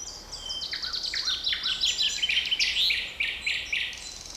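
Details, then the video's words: Wild birdsong in a forest on 7 May 2020: bright, rapid high-pitched notes and trills, several phrases overlapping, sweeping chirps repeated quickly over faint steady background noise. "Невероятное пение птиц в лесу 7 мая 2020 года!"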